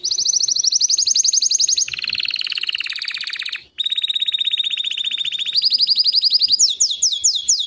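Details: White canary singing: loud, fast rolling trills, each held steady for one to two seconds before shifting to a new pitch, with a brief pause midway and quick descending sweeps at the end.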